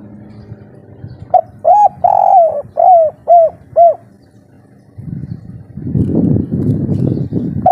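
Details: Spotted dove of local stock in full breeding condition, singing the three-note kuk 3 style loudly: a short coo, a long swelling coo, then four clipped descending coos about half a second apart, followed by low rumbling background noise.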